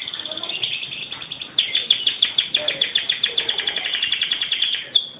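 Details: A canary, the AF1 type, sings in an Indonesian masteran recording. It gives a loud, high, rapid trill of sharp, ringing notes at a steady rhythm, about three to four per second, continuing almost without break.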